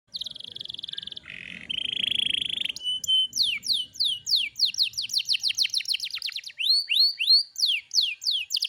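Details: Kept canary singing: buzzy trilled notes and steady tones for about three seconds, then a rapid run of sharply downslurred whistles, around four per second, closing with rising upswept notes.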